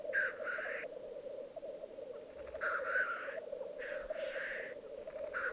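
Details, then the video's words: Lekking black grouse on a display ground in the Italian Alps of Piedmont, 2022, with a steady, dove-like bubbling drone underneath and four loud hissing rushes spaced roughly a second apart. "Parate dei Galli Forcello"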